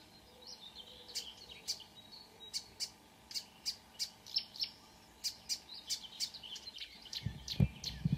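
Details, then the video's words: Dawn song of a marsh warbler in Norway, June 2009: regular high ticking notes with thin whistles, growing louder, ending with a low thump and rustling handling noise. "The song of a *Acrocephalus palustris* Myrsanger / Marsh Warbler"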